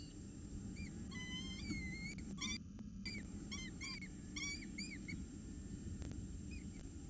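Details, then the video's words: Hungry peregrine falcon chick begging, recorded 10 October 2018: series of thin rising-falling whistled whines with bright harmonics, repeated in bursts, over steady low rumbling background noise. "Peregrine falcons Orange, Mummy I'm hungry"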